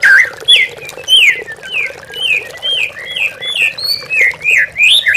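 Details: Lure recording of a white-rumped shama, played to spur mute captive birds to sing. A series of clear upslurred whistles, repeated roughly twice a second and varying in pitch, over the soft patter of running water.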